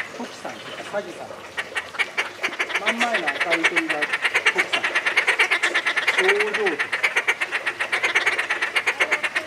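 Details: Captive Inca terns at Tama Zoo, Japan, in July 2019 call in a fast, steady stream of harsh, clicking chatter, with people talking nearby.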